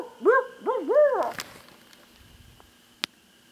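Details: Loud, close barred owl answering a person's calling: three strong, wavering hoots, the last rising and falling longest, then quiet except for a sharp click.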